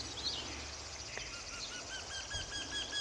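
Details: Eurasian wryneck near a hotel on 16 May 2013 gives a fast run of nasal, slightly falling 'kee-kee-kee' notes, steady in pitch; thin high chirps from other birds sound earlier.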